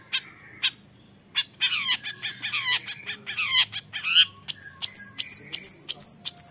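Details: Young long-tailed shrike singing a varied, energetic song: scattered harsh notes building into dense rasping bursts, then a run of sharp descending whistled notes repeated about every third of a second.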